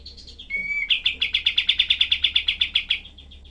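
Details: Cream-vented bulbul (kapas tembak) used as a tutor recording for other songbirds, with harsh rapid-fire 'tembakan' phrasing. Soft chirps and a rising whistle lead into a dense run of about eighteen sharp, buzzy notes, evenly spaced and fading at the end.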